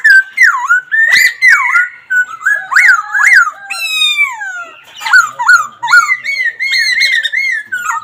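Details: Laughingthrush in full voice, a near-continuous run of rich whistled phrases with rapid up-and-down slurs, quick repeated notes and bright high accents.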